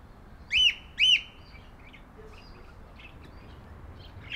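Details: Budgerigar giving two arched, whistled chirps about half a second apart, followed by faint soft twitters against quiet background hiss.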